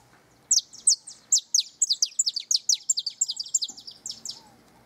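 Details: Canary singing near its nest: a rapid run of sharp, high, down-slurred notes, around twenty in under five seconds, many bunched into quick pairs, over a faint low hum.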